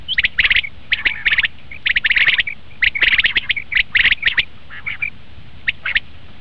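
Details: Common quail call used as a lure for quail hunting: sharp, bright notes in quick clusters of two to four, repeated about once a second, with short gaps and a faint low background hum.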